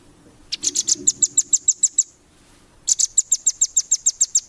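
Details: Velvet-fronted nuthatch recorded as a training song for competition birds: two rapid bursts of sharp, very high chipping notes, about ten in each, separated by a short pause, over a faint low hum.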